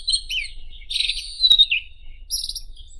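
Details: White-throated robin singing short bursts of twittering and slurred whistles, then a high buzzy phrase after a pause, with a single sharp click in the middle.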